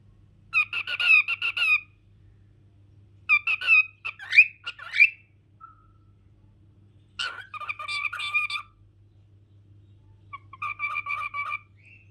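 A cockatiel chatters in bursts of raspy, speech-like phrases mixed with squeaks and short whistles.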